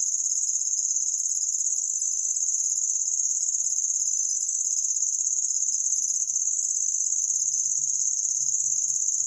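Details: Cici lurik, an imported songbird kept as a tutor for other birds, gives a unique cricket-like song: an unbroken, very high, shrill trill that runs steadily through the whole stretch, with faint low knocks in the background.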